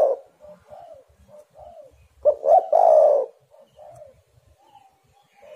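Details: Spotted dove cooing to lure other doves into song: soft low coos at first, then a loud phrase of two brief notes and a long husky coo, followed by more gentle coos.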